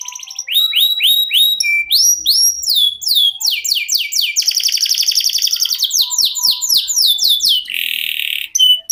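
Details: Canary with a long 'ngerol' song mixing clear repeated whistles, looping sweeps, a buzzy rolling trill, fast descending notes and a hoarse rasping passage near the end, with faint clicks.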